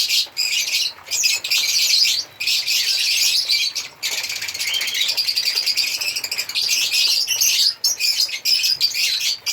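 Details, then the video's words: African lovebirds chattering in long runs of piercing, rapid chirps, broken by short silences every second or two. "African Lovebirds singing and chirping sound"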